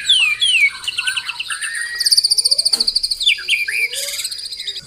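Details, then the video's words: Shama, the Indonesian murai batu, in a dense tembakan performance: slurred whistles, a fast high-pitched rattle, and a buzzy, twittering jumble of varied notes throughout. "Tembakan Rapat Burung Murai Batu"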